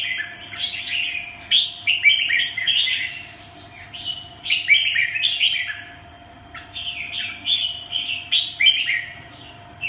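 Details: Red-whiskered bulbul kept as a pet bird, pouring out quick chattering, warbling phrases in several bursts separated by short gaps, over a faint constant electrical hum.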